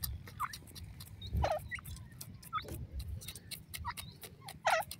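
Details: Grey francolin chicks utter short, looping cheeps, some doubled, at irregular moments against a steady low hum.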